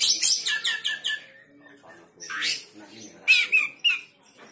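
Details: Oriental magpie-robin; call; provoking other magpie-robins to become agitated and call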